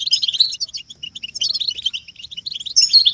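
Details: Collective European goldfinch twittering meant to push caged males out of silence into song: continuous busy chatter of high tinkling and buzzy notes, briefly thinning before a louder final burst.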